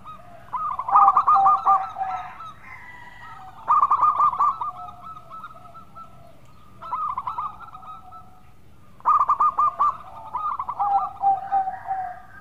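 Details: Lively local perkutut, a zebra dove, delivering its sweet song in four separate phrases, each a rapid string of mellow staccato coo notes, with silent pauses of a few seconds between them and faint low rumble throughout.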